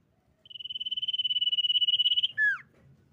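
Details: Common iora, said to be female, singing as a lure to draw other birds into song: a long, steady, fast-pulsed trill held for nearly two seconds, ending in a sharp, downward-slurring whistle.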